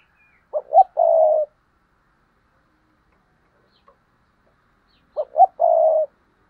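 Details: Spotted dove paired cooing: a two-note stutter followed by one long, level, mellow coo, given twice about four and a half seconds apart, with silence between phrases.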